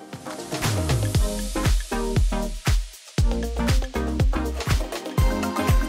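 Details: Upbeat disco-funk music with a steady thumping beat and bass, no animal voice present.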